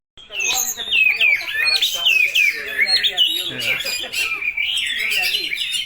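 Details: Spotted oriental magpie-robin in full song, mimicking a lovebird: a dense, continuous run of fast chattering, squeaky notes that twist up and down without pause for nearly six seconds.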